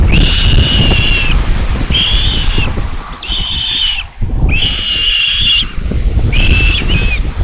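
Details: Common buzzard nestlings in Tiszalök, Hungary, 27 May 2022, begging while fed; five strained, level calls in quick sequence, some running together, over continuous low rumbling and rustle of wind at the nest.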